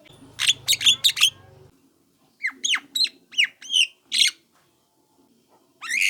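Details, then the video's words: Young Javan myna lure call to make other mynas respond: a cluster of shrill squawks, then after a pause a string of sharp downward-slurred harsh notes, closing with another rising squawk; faint low hum early on. "HANYA SEBENTAR SEMUA JALAK KEBO AKAN RESPON DENGAR SUARA PANCINGAN JALAK KEBO MUDA INI"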